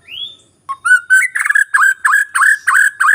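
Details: ['White-rumped shama song used as a lure for a bird slow to sing. A rising whistle, a brief gap, then a quick series of bright, clipped, rising notes at about three per second.']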